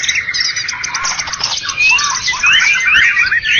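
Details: A contest-winning White-rumped shama of the Medan and Java types sings a rich, fast run of varied whistles, chirps and rising slurred notes, busy and loud throughout, possibly overlapping with other birds.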